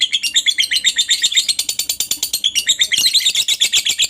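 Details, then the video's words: Lovebird ngekek song, used as training audio: rapid, rasping, high chirps about three per second in an unbroken chattering run, slightly varied in pitch. "masteran suara Lovebird ini mampu membuat Lovebirdmu gacor"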